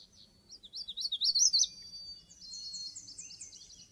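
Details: Magnolia warbler singing a quick phrase of about eight high, sweet slurred notes that climb in loudness toward a rising finish, followed by a fainter run of repeated high notes from another bird and a soft low hum.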